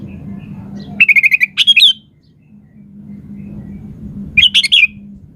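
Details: A lively 'gacor' sooty-headed bulbul, played to provoke other birds to reply, sings a rapid stutter of even notes that runs into a rising-falling warble. The phrase repeats about three seconds later, with a low hum beneath.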